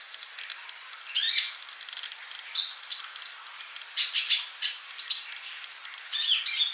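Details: Singing male olive-backed sunbird used as a master song for mute young birds: dense run of very high, thin chirps and brief whistles, fast and jumbled, with a few longer flat notes between bursts.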